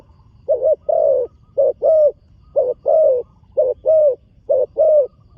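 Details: Rhythmic low cooing by a young spotted dove being trained on an earthen contest ground for the first time, with a short pulsed note and a longer steady coo alternating roughly once per second.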